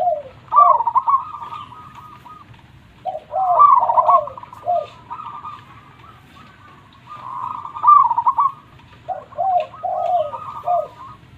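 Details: Local zebra dove singing actively with a loud voice. Repeated phrases mix lower, sliding coos with rapid bubbling trills, roughly every three to four seconds, possibly more than one bird overlapping.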